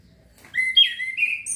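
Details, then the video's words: Young male orange-headed thrush practising ngeplong and ngecir song, used as a lure to train young birds, gives a short run of sweet whistles that climbs from a mid note to a high sharp ending. "ANIS KEMBANG PUNGLOR KEMBANG JANTAN BELAJAR NGEPLONG NGECIR"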